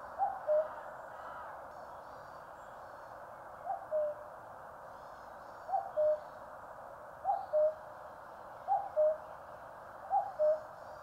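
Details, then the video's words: Common cuckoo in the mountains of Korea calling seven times in about eleven seconds, a regular falling two-note cuck-oo, with faint high twittering from other birds behind it. "청량한 뻐꾸기 울음 소리. Cuckoo chirping in the mountains."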